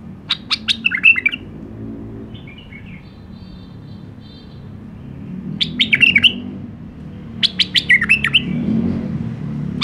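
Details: A white-eared bulbul (Iraqi nightingale), described as having a clean song, gives three bursts of quick, bubbly warbled phrases with sharp chirps, separated by pauses, over a low background hum.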